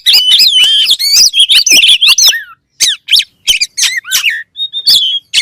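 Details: Oriental magpie-robin (kacer) song: a dense burst of rapid warbled and squeaky whistles, then spaced single chirps and slurs, ending in a thin steady whistle.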